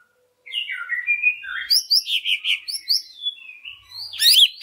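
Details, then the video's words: Greater green leafbird lure song for stirring other leafbirds into singing, opening with falling slurred whistles, then a quick series of rich chirps and a thin drawn-out note before a final high flourish. "Pancingan Cucak Ijo Sangat Ampuh Untuk Menaikan Mental Ijo Lain Agar Mau Jamtrok Bongkar Isian"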